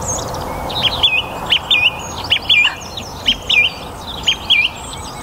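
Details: Spring evening chorus in a North Antrim garden on a warm, sunny day, a song thrush repeating a short, clear whistled phrase roughly once a second in a steady run of similar notes, with faint background birdsong.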